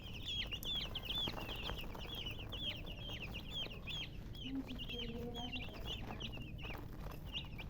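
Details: Chicks give quick, high, upslurred peeps about two to three per second, a dense chorus from several birds, with a soft low murmur behind.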